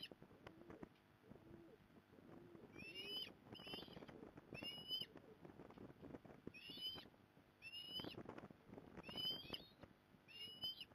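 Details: Osprey at a nest in Port Lincoln, Australia, 15 November 2020, as the mother comes to help; a series of high, thin whistled calls with rising and falling slurs, given in short bursts, over low background rumble.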